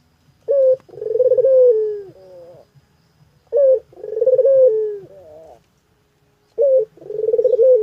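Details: Spotted dove cooing loudly and close: three phrases, each a short opening note followed by a longer rolling, wavering coo that falls slightly at the end, repeated about every three seconds.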